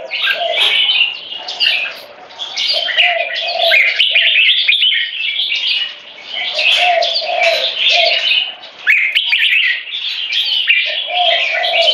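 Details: Two caged competition Red-whiskered Bulbuls, aged 3.5 and 7 years, singing butir (frequency singing) with gaya display to dominate a rival: dense overlapping bright warbled phrases with short pauses, over a lower steady humming note that comes and goes.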